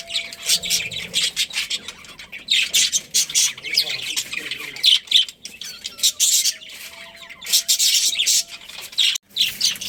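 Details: Budgerigar colony chatter: loud, scratchy chirps and squawks in repeated bursts, with brief quieter gaps and faint tones underneath.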